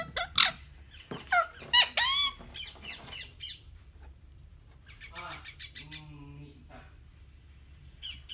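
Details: Harsh, downward-sweeping squawks from a pet rose-ringed parakeet come first, followed by softer rasping chatter and lower, buzzy notes in a quiet room.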